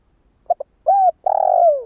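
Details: Spotted dove decoy cooing used to lure wild doves: two short low notes, then a smooth arched coo and a long rolled, slightly falling coo, all mid-pitched and clean with no other sounds.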